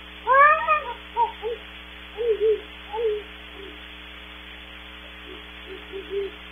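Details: Distant great horned owls at Starr Ranch, California, in a processed and distorted recording: a loud rising-falling opening note, then a run of shorter hoots fading in strength, a pause, and a quieter cluster of hoots near the end, all over a low hum.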